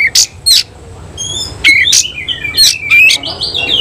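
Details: Oriental magpie-robin singing with its tail spread in a semi-Cililin style: sharp broadband chips alternate with clear whistled notes, then rapid slurred warbling phrases that rise and fall, with a faint low hum underneath.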